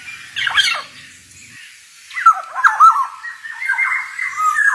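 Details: Male black-naped oriole singing in the wild 'ngalas' manner: a short scratchy burst, a silent gap, then harsh, wavering nasal notes stretching into a long level mew.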